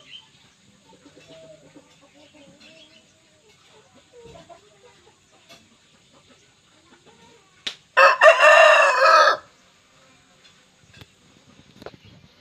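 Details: A tall, large Bangkok Wido chicken rooster, kept for breeding, lets out one loud, hoarse crow lasting over a second after soft clucking.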